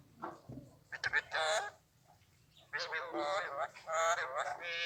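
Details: Alexandrine parakeet mimicking human speech in Urdu, Hindi or Arabic: a short word, a pause, then a longer, loud run of strained, voice-like syllables.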